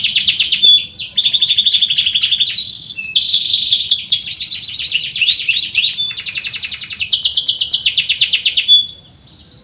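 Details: Loud canary (kenari) song for stimulating quiet canaries to sing: continuous bright twittering trills and rolling tours stacked high in pitch, changing phrase every few seconds, then stopping abruptly near the end.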